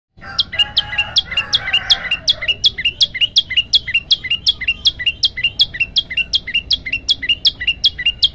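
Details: Male olive-backed tailorbird (prenjak lumut) in energetic 'gacor' song, variation style, recorded on a phone. It gives sharp, high, down-slurred whistled notes repeated nearly three times a second, after a brief opening of lower, rougher sounds.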